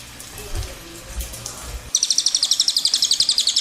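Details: After a stretch of quiet background noise with faint low sounds, a cililin bursts into a fast rolling trill of high, sharp, evenly repeated notes that continues to the end.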